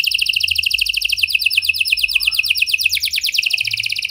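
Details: Canary in full song, 'gacor' style with prenjak- and lovebird-like phrases, played to stimulate a silent canary into singing: fast rolling high trills, one phrase after another without pause, sliding into a higher rapid trill near the end.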